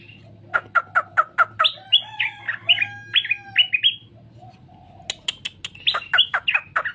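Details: Straw-headed bulbul singing to prompt other birds to respond: a rapid series of sharp ticking notes leads into a flowing run of liquid warbled phrases, then more quick ticks and bubbling notes.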